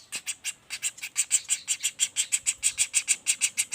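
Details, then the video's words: Rapid repeated shrill chips from a juvenile common flameback, starting a little uneven then settling into a regular rhythm of about three notes a second, meant as a model for other singing birds. "Suara Pelatuk Bawang Anakan Roll speed tanpa jeda"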